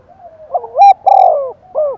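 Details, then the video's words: Spotted dove decoy bird calling intensely and eagerly to provoke wild doves into cooing back: a short burst of low, hollow coos, rising and falling, with one brighter, louder note near the middle. "Tiếng chim cu mồi thúc bổi rất căng và sung, bổi nghe ngứa gan và gáy theo"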